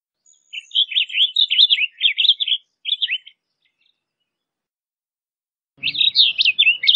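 A blue grosbeak sings a rapid, warbling phrase of rich, jumbled notes lasting about three seconds, then starts another phrase after a brief pause.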